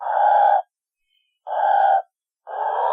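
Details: Pelican giving harsh, hoarse, drawn-out grunting bursts, each about half a second long. They repeat three times with gaps of about a second, over silence.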